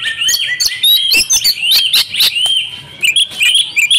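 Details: Lure call of a female Oriental magpie-robin, used to stir mute males: bright, busy twittering of high whistled and buzzy notes, loud and nearly continuous with short gaps, ending in quick rising chirps.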